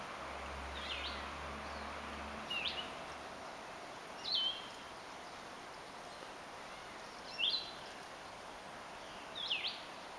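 A distant Gray Catbird gives short, nasal, downslurred mewing calls, about one every two seconds, over a steady outdoor hiss with a low hum at first.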